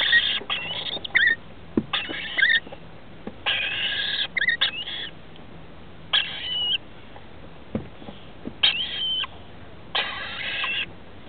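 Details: Rainbow lorikeets at a nest inside a house roof, with two young aged 21 and 17 days, as adults arrive to feed them on 23 October 2013. Harsh raspy bursts, several ending in thin whistled notes, come every second or two, with knocks and scrapes between.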